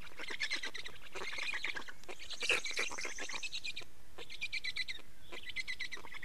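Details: At an Estonian black stork nest during change-over and feeding, 24.05.2019 15:15: dense rasping pulse trains with a sharp squeal near the middle, then a lull and fresh shorter chattering bursts.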